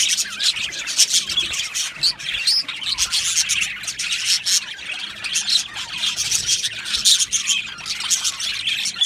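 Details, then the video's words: Budgerigars, Australian parakeets in an aviary colony, chirping continuously: dense overlapping high chirps, warbles and short squawky notes from many birds, with no pauses and no other clear sounds. "Budgie birds chirping sounds"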